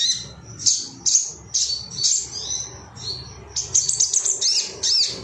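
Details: Ruby-cheeked sunbird, excited and looking for rivals, used as bird training material: bright, high chirps and short trills in uneven bursts, ending in a quick run of thin, rising and falling notes.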